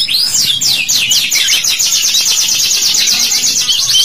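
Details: Canary singing as a lure recording to get young birds singing: an opening rising-falling swoop, then a long unbroken high trill of rapid repeated notes, very loud and clean.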